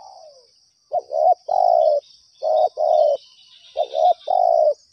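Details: Spotted dove calling back to a lure: repeated three-part coos, two quick hollow notes then a drawn-out one, over a constant high-pitched insect drone.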